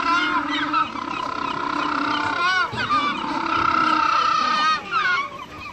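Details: African penguin (Spheniscus demersus) braying loudly in repeated harsh, nasal, honking phrases with rising and falling pitch, broken by brief gasping pauses, over nearly six seconds.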